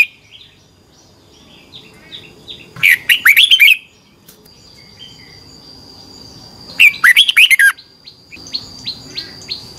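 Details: Red-whiskered bulbul competition song used to train birds: two separated bursts of quick, looping whistled phrases, with soft scattered chirps between and a constant high faint tone.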